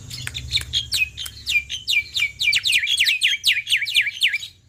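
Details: Loud song of a male black-winged myna, played to stir other mynas into singing. Quick, steady chain of sharp clicks and high descending whistles that grows denser and faster toward the end.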